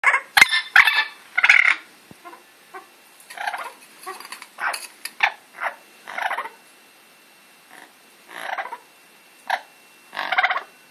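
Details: Amazon parrot kept as a pet, making a string of harsh, raspy squawks and short chattering bursts at irregular intervals, with some louder rough calls near the start.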